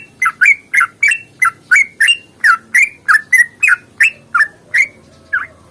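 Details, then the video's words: Sooty-headed bulbul fighting song, long and rapid, used as a singing lure for other bulbuls: crisp, emphatic whistled notes sweeping up and down, delivered about three per second, with one softer note trailing after a pause. "trucukan GACOR tarung ropel panjang ini AMPUH bikin trucuk gacor bunyi NYAUT"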